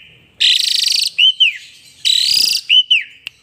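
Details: Asian pied starling belting out song while bobbing its head; two matching phrases, each a loud rasping buzzy burst followed by a pair of arched whistled notes, then a single sharp click.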